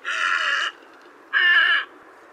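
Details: Two loud, grating croaks from a white egret, each a rough buzzy burst under a second long, separated by a short pause, with a faint background hiss.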